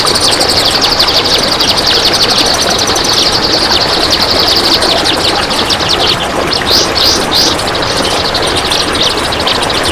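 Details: Training song of a kapas tembak, long and closely packed: a continuous stream of rapid high chirps, with a few sharper rising whistled notes near the end, backed by steady hissing noise.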